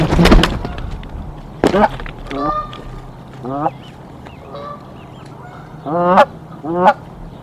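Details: Canada goose at a nest being defended against an intruding goose; a loud burst at the start, then scattered rising honks with quieter calls between and a faint low background hum.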